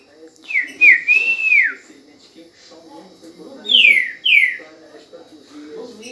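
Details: Green-winged saltator (trinca-ferro) singing vigorously: a wavering whistled phrase, then two quick, loud, down-slurred whistles about four seconds in, over faint indoor background noise.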